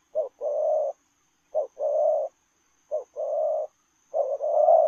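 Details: Spotted dove cooing in the lèo rồng style while running: four low, hoarse phrases, each a short clipped note then a longer rolling coo, spaced about every 1.4 seconds over a faint steady high hiss.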